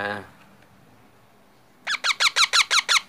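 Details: Baby parrot calling: after a brief human voice and a quiet pause, a run of harsh, raspy squawks repeats rapidly, about six per second, in a steady rhythmic burst, indoors.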